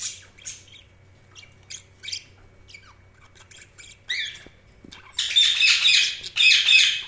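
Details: Budgerigar chirping: scattered sharp ticks and short whistled notes, one downward-sliding chirp, then a burst of loud, harsh, buzzy warbling chatter near the end.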